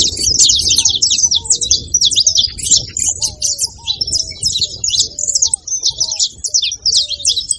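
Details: Saffron finch singing loudly: a dense, rapid stream of high, sharp chirps and twittering notes runs without a break, with softer, lower slurred whistles repeated underneath.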